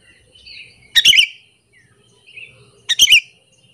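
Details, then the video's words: Sooty-headed bulbul calling to lure other bulbuls and provoke them: two loud doubled chirps two seconds apart, each a harsh burst into a falling note, with softer warbling notes between. "AMPUH BANGET suara panggilan burung kutilang alasan untuk pikat"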